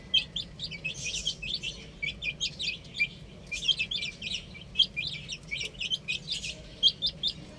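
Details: A flock of baby chickens playing on a roof keeps up constant high-pitched cheeping, clustered bursts following each other without pause, low hum in the background.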